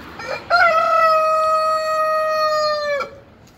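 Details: A young Ayam Cemani cockerel practises crowing with help from a big Brahma rooster. A brief harsh opening note leads into a sustained, even crow of roughly two and a half seconds that sags gently in pitch before it stops.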